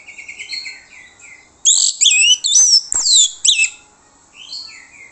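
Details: Used as a lure to prompt answers from other birds, this orange-headed thrush song opens with gentle repeated whistles, then loud, rich, rapidly twisting high phrases, and ends with soft descending whistles.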